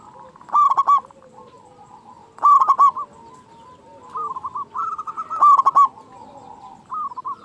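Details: Local zebra dove with a big voice, played to excite other doves into calling. Sharp stuttered coo phrases repeat every two to three seconds, separated by quieter rolling coos and a low murmur.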